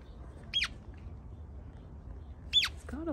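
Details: Two hatchling Western Grebes found alone on a Bay Area reservoir and taken into wildlife rescue care: sharp, high, down-slurred peeps two seconds apart, then a person begins speaking over faint background hum.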